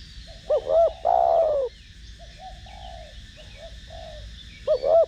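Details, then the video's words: Spotted dove of the 'thổ đồng' voice style cooing as a decoy to stimulate other doves: low, mellow hooting notes, a rising double coo then a long drawn coo, softer murmurs, and a final paired coo over a steady background hum. "Cu gáy Gù,Thúc giọng THỔ ĐỒNG kích mồi tập bổi rất hiệu quả"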